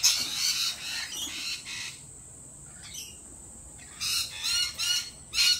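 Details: Lorikeets at a cafe giving harsh, shrill screeches in bursts at the start, a brief pause with a faint chirp, then loud repeated squawks resuming.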